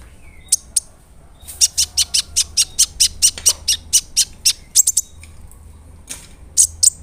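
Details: Brown-throated sunbird lure, from a big-bodied bird in full voice, delivers a long rhythmic sequence of sharp high-pitched notes repeated at a steady quick pace, with brief gaps before and after.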